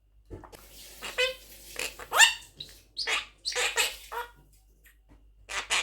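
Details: An 11-month-old pet male monk (Quaker) parakeet talks in quick, squeaky bursts, a string of short word-like phrases with rising and falling pitch over about five seconds. Monk parakeet.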